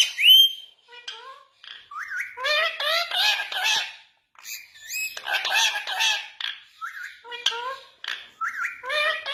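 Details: Indian ringneck parakeet talking in Urdu/Hindi: a sharp rising squawk opens, then raspy, speech-like phrases of buzzy syllables come in bursts, with short pauses near four and eight seconds, in a quiet setting.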